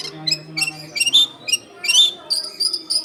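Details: Long-tailed shrike in active song, used to draw in wild shrikes: high scratchy phrases mixed with drawn-out thin whistles, loud and close, with a faint low hum underneath.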